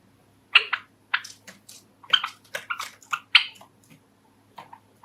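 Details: Pet Java sparrow, one of five kept indoors, giving its courtship song: a string of short, sharp chirps and clicking notes with brief pauses, spread unevenly across five seconds in a quiet room.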